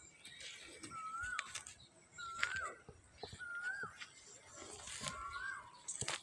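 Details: At midday in a vegetable garden, an Asian koel gives four clear, whistled notes that rise then drop, about one every 1.3 seconds, over rustling, clicks and a faint high insect hiss.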